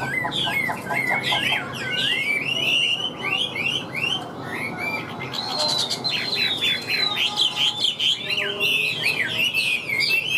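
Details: Wild-caught Chinese hwamei singing a loud, strong-voiced song in the hót hét style. It is a rapid, continuous stream of varied high slurred whistles, rising and falling notes, and repeated trills, over a steady low background hum.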